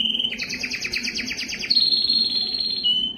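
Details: Singing yellow canary delivers rapid repeated chopped notes in a rattling tour, then a smooth high whistle slowly sliding lower, with a faint low hum beneath.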